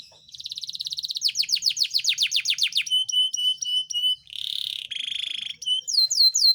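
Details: Yorkshire canary in full song for spurring silent canaries and mating: a steady fast trill, descending swept notes, evenly spaced clipped whistles, a dense buzzy roll, then rising sweeps.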